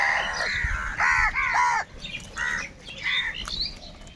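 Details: Crows in a large flock calling over one another, harsh nasal caws with stacked harmonics, several overlapping, some drawn out and some clipped short, while quieter crows answer in the background.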